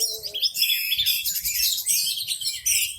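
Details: Orange-headed thrush in full, loud song with its tail spread, setting off other birds that sing along; a short low note opens, then a continuous torrent of shrill, fast-changing whistles and trills follows.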